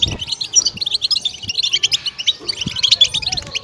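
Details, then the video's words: Batbata-style goldfinch song used to excite and stimulate goldfinches: quick, bright, high-pitched chirps and liquid trills in rapid succession, densely packed, with occasional dull low taps underneath. "goldfinch bird singing"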